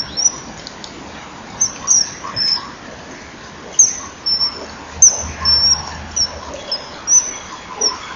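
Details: Common kingfisher male calling on arrival at a perch by the nest bank, filmed by nest-wall camera on a January morning in 2012: a dozen brief, very high, sharp whistled notes, some paired, spaced irregularly against low hiss and a faint hum.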